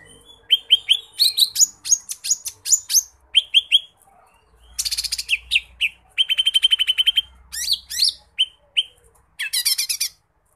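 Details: Lesser green leafbird in full, vigorous song packed with imitated phrases, a tutor recording: rapid strings of sharp, high whistled notes, downslurred chips and buzzy trills tumbling in quick, varied bursts with brief pauses, with a faint low hum beneath.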